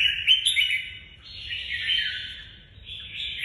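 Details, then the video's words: Red-whiskered bulbul singing a continuous, fluid phrase of warbled, chattering notes in the "nhảy cóc" hopping style, rising and falling slightly in pitch, over a soft low hum. "Chào mào nhảy cóc lối đánh nhiều người mê ước"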